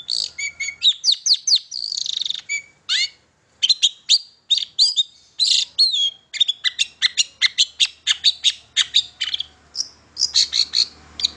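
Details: Long-tailed shrike kept as a songbird, recorded as a lure to prompt other shrikes to sing: a rapid, varied run of sharp chirps, trills and whistled notes, densely packed and high-pitched, with brief pauses between bursts.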